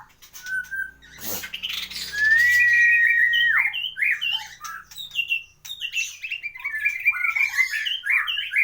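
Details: White-rumped shama, a caged competition songbird described as excellent with a full repertoire, singing a varied song: a long clear whistle near the start, then a rapid series of short slurred, chirping and rising notes.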